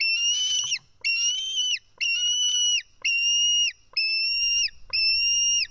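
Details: A White-tailed eagle chick in Estonia begs noisily while a parent feeds it fish, July 2018. Six long, shrill, even-pitched whistles, each ending in a sharp drop, come roughly one per second over near silence.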